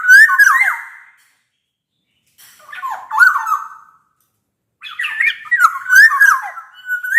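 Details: Black-naped oriole in full song to prompt silent orioles to sing; three separated bursts of rich, liquid whistling, each a tumbling run of slurred notes, the last ending in a steady high whistle.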